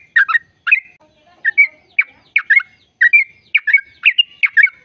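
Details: Sooty-headed bulbul in full "ropel" trill, a recording meant to set off other bulbuls: sharp, bubbling chirp pairs in quick succession with whistled tails, and a quiet low warble in a short gap.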